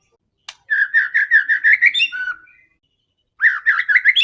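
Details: Aggressive white-rumped shama song meant to provoke other birds: a rapid series of rich whistled notes rising slightly, a brief lower whistle, silence, then the repeated whistles resume.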